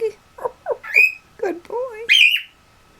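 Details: Pet cockatiels whistle and chatter, one trying to whistle with others joining in: a run of short, slurred whistled notes, some low and wavering, ending in a loud, sharp, high whistle over a faint steady hum.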